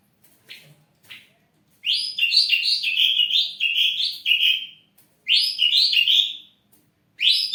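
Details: Ashy drongo in full, lively song as a kept bird used to lure other birds into singing: rapid bursts of bright, slurred chirping notes tumbling one after another in long runs, broken by brief pauses, with a quiet background.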